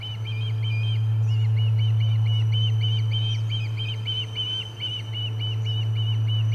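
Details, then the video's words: Insistent Osprey chirping at the Charlo nest, 30 July 2020, amid commotion around a fish delivery: dense, evenly spaced shrill arched notes, about three each second, almost without a break, with a steady electrical hum. "Lots of Commotion and a Fish Delivery - Charlo Osprey Nest"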